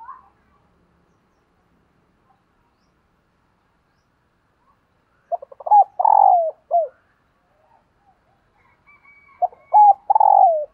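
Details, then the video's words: Female dove calling to stimulate males: after a long quiet stretch come two phrases of clipped introductory notes, each followed by a drawn-out burry coo that slides lower. "Tiếng Chim Cu Mái Kích Trống"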